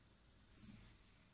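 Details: A single thin, high-pitched squeak, slightly falling, from common blackbird chicks begging as they are hand-fed in spring at a wildlife recovery centre ahead of release.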